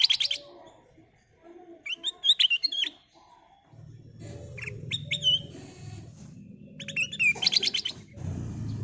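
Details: Lure song of the kutilang emas, a golden bulbul: dense stuttering chirp bursts alternating with clean whistled notes, several phrases in quick succession, with a low background hum in the second half.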